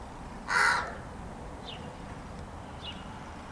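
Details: Crow sitting on an arbor, replying to a person chatting with it, 15 May 2017: one loud rasping caw early on, followed by quiet, with a few faint high chirps from small birds.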